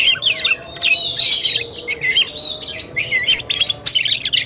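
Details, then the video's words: Oriental magpie-robin, tarung or fighting-style singing, 17 August 2021: continuous high, hurried warbling of mixed whistles, harsh notes and trills, nearly without pause, over faint low background hum. "KACER TARUNG"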